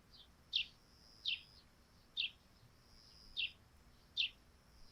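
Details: Five evenly paced sparrow chirps, crisp and high, sound from a dewy thatched roof in the morning over a still, quiet background.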